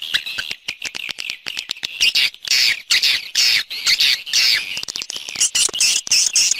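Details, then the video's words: Swiftlet external sound, 2020 set: harsh, buzzy chirps in uneven bursts with crackling clicks between, rising to broader rasping phrases later. "Free Swiftlet External Sounds"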